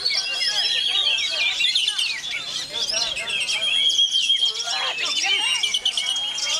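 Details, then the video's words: Oriental magpie-robin (kacer) singing on through strong wind: a dense, continuous stream of rapid high chirps, whistles and slurred notes, with a steady thin high tone running beneath. "ANTI BADAI‼️Kacer KEJORA Tak Peduli Walau Diterjang Angin"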